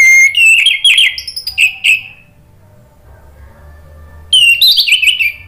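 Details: Orange-headed thrush kept caged, sung as a lure to stimulate singing: bursts of loud whistled and warbled notes with slurred down-strokes, a quiet gap of two seconds, then another rich whistled burst.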